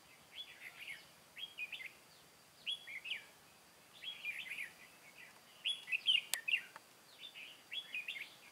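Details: Caged decoy red-whiskered bulbul luring wild birds into a trap, 23 August 2018, Vietnam: short cheerful warbled phrases of slurred whistles, repeated about every one to one and a half seconds, with a single sharp click midway.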